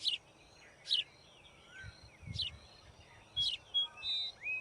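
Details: Nest-building white-throated fantail: crisp high chip notes about once a second, mixed with thin sliding whistles and a few quick twitters, faint low rumbles beneath.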